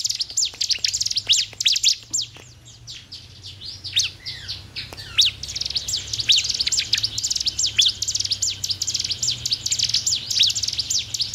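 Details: Bar-winged prinia song played to stimulate another bird to sing quickly: dense, high, thin chirps and rapid downward-sweeping notes in continuous bursts, with a brief lull near two seconds and a faint low hum beneath.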